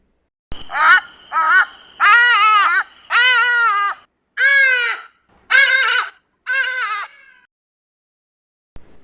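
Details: Southern African Hadeda Ibis giving seven loud, harsh, nasal 'haa' notes, each arched and braying, about one per second; otherwise quiet.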